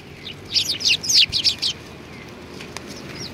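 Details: Sparrows come to be fed at a Tenmangu shrine, 25 November 2020. A rapid cluster of loud, high twittering chirps lasts about a second, followed by near quiet and one faint closing note.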